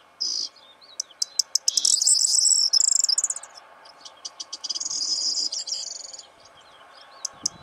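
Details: Breeding Corn bunting singing close to a hide in the morning: repeated ticking introductions building into high jangling phrases, two songs in quick succession with scattered clicks after.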